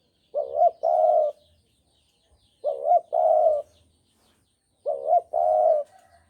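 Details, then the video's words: Trapping-lure song of a Javan spotted dove: a wavering short note and a sustained mellow coo, repeated three times at an even pace with silent gaps of about a second between phrases. "Pancingan Derkuku Jawa"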